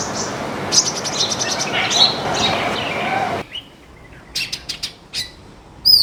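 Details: Baya weavers feeding on grains as a backyard flock: a busy wash of high twittering chirps for about three seconds, then sparse, sharp single chirps and short bursts over quieter background.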